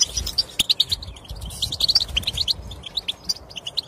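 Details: European goldfinch song used to get a silent goldfinch to sing; quick, bright twittering notes in loose phrases over a faint low background rumble.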